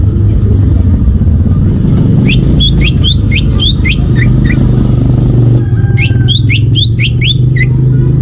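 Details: Greater green leafbird in wild forest, two bursts of bright, rising and falling whistled notes separated by a short gap, with a strong steady motor rumble throughout.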